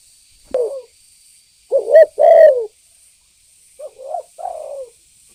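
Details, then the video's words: Spotted dove used as a lure recording to provoke other birds: a short soft note, then a pair of hollow, rolling coos, a pause, and a final softer group of three coos, all in a clean quiet background. "Suara pancingan burung Tekukur Gacor"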